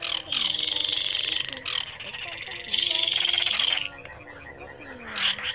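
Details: Baillon's crake at night, used for trapping. Two long, dense, buzzy rattles about one and a half seconds each are followed by a softer tail. Low sliding croaks sound in the background.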